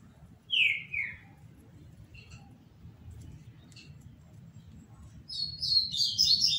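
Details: Green-winged saltator (trinca-ferro) from a legally kept breeding collection, singing in the Paraná style: two loud descending whistled notes, a quiet gap with faint chips, then a burst of high, rapid, warbled notes at the end.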